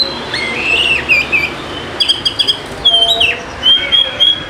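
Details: Lure song of an Oriental magpie-robin meant to prompt lazy birds to sing: sweet slurred whistles, a burst of quick ticking notes, then long pure drawn-out whistles and downslurred phrases.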